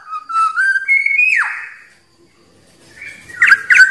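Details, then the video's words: Black-naped oriole giving clear fluty whistles that climb in steps, then swoop downward, followed after a pause by a few short, harsher buzzy notes. "SUARA BURUNG KEPODANG"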